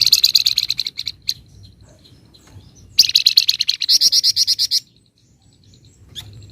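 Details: Flamboyan songbird singing in the 'ngebren rapat' full 'nyecret' style: long bursts of rapid, very high, buzzy chattering notes, roughly three per second, separated by a quiet gap, with a low hum behind.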